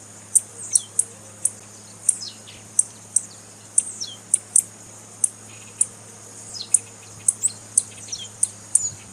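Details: A female blue-black grassquit gives the call breeders use to stimulate singing in males: high, sharp tick notes repeated roughly every half second, with occasional thin downslurred whistles between them and a low background hum.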